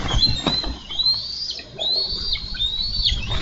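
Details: Bald eagles, male and female, squabbling over a carp at their Minnesota nest, July 2013. Long, thin ascending whistles end in abrupt drops, three drawn-out calls in a row, with soft background wind.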